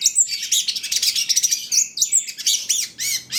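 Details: Long-tailed shrike (cendet trotol) song meant to provoke other shrikes to sing: a rapid, continuous medley of very high chirps, squeaks and arched whistled notes, scratchy and varied, with hardly a pause.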